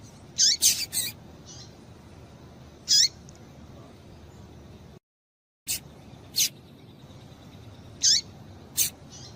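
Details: Female Double-collared seedeater calling to stimulate males: high sharp chips with falling tails, a quick double at the start, then single notes a second or two apart, broken by a brief silent gap.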